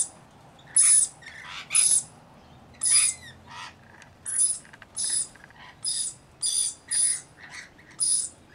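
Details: Rainbow lorikeets, a flock of about 40 with one baby among them. Loud grating screeches repeat roughly every half second to second, each carrying a shrill high tone, with softer chatter between them.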